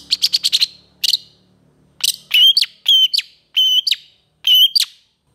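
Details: Long-tailed shrike master song rich in varied phrases: a fast stuttering series of six clicks, then four evenly spaced, ringing whistled notes, each ending in a short upward flick, about one per second.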